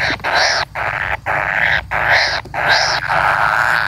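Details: Kingfisher chick waiting for a parent to return, calling in loud, grating, buzzy bursts, about two per second, separated by short silent breaks.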